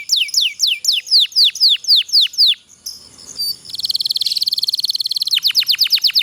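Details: Long-rolling canary song, used to train lazy birds into singing: evenly repeated downward sweeps, a short soft pause, then a dense buzzy roll, ending in rapid descending notes.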